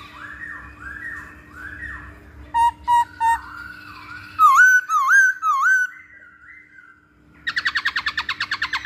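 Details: Masked laughingthrush lure recording for training birds: looping whistles, three short sharp notes, curling high whistles, then a rapid buzzy chattering trill to finish.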